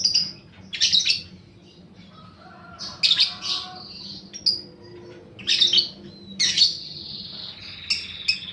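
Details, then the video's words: Fighter paud balibu lovebird lure recording: sharp high chirps in separate bursts with quieter gaps, then a long drawn-out buzzy trill near the end. "pancingan burung lovebird paud balibu fighter mp3"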